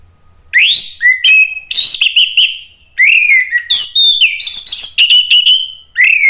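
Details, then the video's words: Provoked by a lure recording, an orange-headed thrush delivers a sustained ngeplong reply of loud, varied whistles, swooping rising and falling phrases in rapid bursts with short pauses between. "ANIS MERAH jadi EMOSI NYAUT ikut NGEPLONG"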